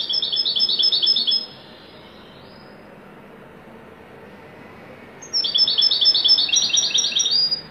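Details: European goldfinch in wedani style delivering two bursts of rapid, rolling, high twitters, each roughly one to two and a half seconds long, with a silent pause of about three seconds between them.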